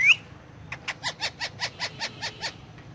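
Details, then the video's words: Indian ringneck parakeet talking in Urdu/Hindi while on pillows: a sharp rising whistle, then a quick run of about ten raspy, even syllables at roughly four per second. "Ringneck Parrot Talking"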